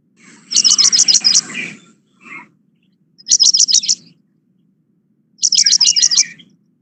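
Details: Paddyfield pipit song recorded around September, usually delivered in a short song flight: three short bursts of high, rapid chip notes, about six per burst, roughly two seconds apart, over a low background hum.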